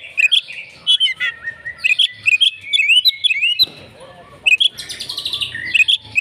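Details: Agitated Oriental magpie-robin singing in fighting mode, with sharp bright notes and twisting whistled phrases delivered fast and loud, plus a short harsh buzzy passage near the end.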